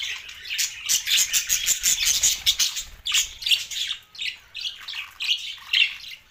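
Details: Several budgerigars twittering in rapid bursts of high, buzzy chirps and warbles, rising and falling in loudness.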